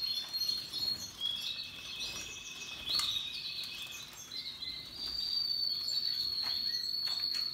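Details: Russian yellow and Timbrado canaries with other birds singing happily: overlapping high trills and whistles early, then a long, bright, sustained whistled tone fills the second half.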